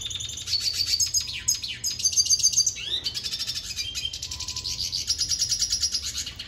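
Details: A red siskin sings while dancing with a female: a fast, high twittering song of buzzy trills and chattering notes, running nearly without pause, with a soft low hum underneath.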